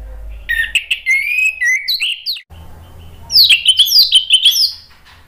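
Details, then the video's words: An orange-headed thrush sings rich, varied phrases of slurred whistles and sweet trills, a brief pause, then a second bright, tumbling burst, used as a lure sound to prompt other thrushes to answer and sing. "SUARA ANIS MERAH bikin cepat NYAUT ikut NGEPLONG jadi GACOR"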